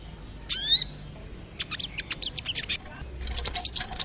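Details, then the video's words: A loud, clear, ringing whistle opens, then a wild crested jay follows with runs of dry, rapid, high-pitched ticking chatter that quicken toward the end. "MASTERAN BURUNG SOGON SUARA ASLI SOGON LIAR"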